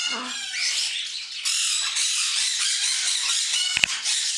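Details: Many cockatiels (Nymphicus hollandicus), both males and females, in a crowded cage chatter at once, their shrill squawks and whistles overlapping into a dense, high din.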